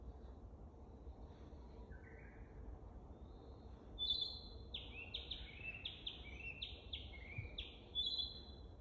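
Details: Male-style practice song of a narcissus flycatcher, still unpolished, recorded at Lake Teganuma on 12 May 2023: a soft short note, then a run of bright whistled notes falling in steps, ending on a high sharp note, over low background hum.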